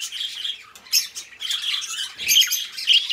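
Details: Pair of pet budgerigars chirping together: a continuous warbling chatter of buzzy, rapidly changing notes with a few sharper squawks and one low thump near the middle.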